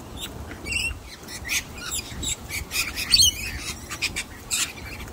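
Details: A young wild sulphur-crested cockatoo, uninterested in a hidden-nut trick, gives harsh, raspy squawks and short scratchy bursts, several in quick succession, over a soft background hiss.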